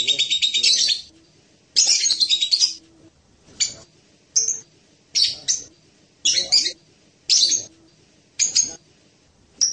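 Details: Blue-crowned hanging parrot (serindit) singing: two long shrill buzzy bursts, then a run of short, sharp, high chirps spaced about a second apart, with quiet gaps between them.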